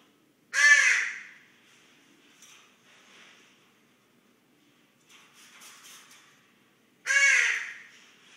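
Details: Common raven snoring while asleep, recorded close up: two loud, harsh, rasping bursts about six seconds apart, with soft breathy rustling sounds between them.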